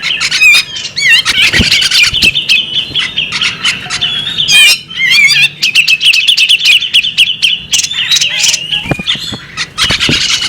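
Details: A female bearded magpie robin sings a dense, rapid medley of sweet whistles, buzzy trills and harsh squawks, phrases running together with only short breaks.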